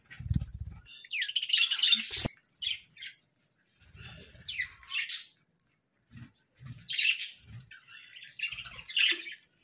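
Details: Budgerigars in the morning giving scattered chirps and brief scratchy squawks separated by quiet gaps, with a few low knocks and rustles.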